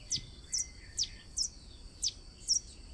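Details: Six quick, piercing high chirps, evenly spaced about half a second apart, from a blue-and-yellow tanager in Brazil, over a soft steady hiss and a brief low whistle.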